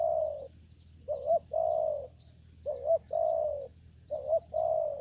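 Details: During bird trapping in a papaya garden, a spotted dove calls in an even sequence: a held coo followed by three phrases of a quick rising note and a long soft coo, while small birds chirp thinly in the background.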